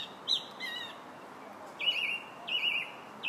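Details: Song thrush song recorded in July: short whistled notes, then a longer slurred phrase repeated twice with a brief pause between.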